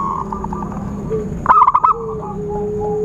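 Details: Zebra dove call used as a trapping lure, heard as a single fast run of about six staccato cooing notes, with faint whistled tones from other birds before and after.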